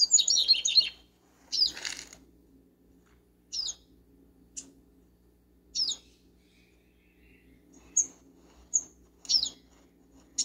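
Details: Double-collared seedeater in a backyard: a fast, high twittering phrase of about a second opens, followed by short buzzy bursts spaced roughly two seconds apart and a few thin, very high single notes over quiet background hum.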